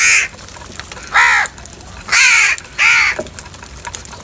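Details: Crows contesting food in the morning give four loud, raspy caws at roughly one-second intervals, each a short harsh burst with a falling, arched tone.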